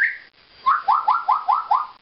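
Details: A family of African grey parrots in an aviary in Languedoc, South of France: a brief whistle, then five quick rising glugging notes, about five per second, which the owner takes for a water sound.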